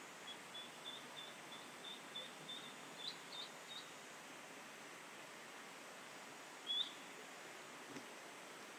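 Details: Eastern spot-billed duck ducklings in bushes along a tributary near a weir give faint, high peeps about three times a second, then one loud rising squeal, a special call usually used in emergencies, here of unknown cause; steady background hiss.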